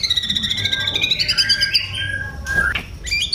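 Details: Oriental magpie-robin in full singing form, Indonesian songbird hobby: a fast buzzy trill near the top that slowly drops in pitch, followed by sweeping whistled slurs and a sharp rising note, with low background hum.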